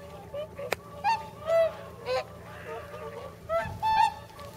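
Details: Whooper swans at a pond in Nagamine, Nishiyama-machi, about 300 swans present, soon to migrate north; clear trumpeting honks, some rising or falling, repeated roughly every half second to second, with a sharp click near the start.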